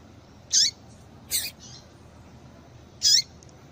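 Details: Female yellow-bellied seedeater call for stimulating males: a high squeaky note with a downward sweep, a sharp buzzy note close after with a softer echoing tail, then a repeat squeaky call about 2.5 seconds later.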